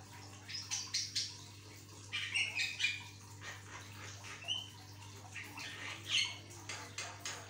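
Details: Energetic Javan myna song meant to set other mynas singing: a run of rasping, noisy bursts mixed with clear high whistled notes, irregularly spaced about twice a second, with a constant low electrical hum underneath.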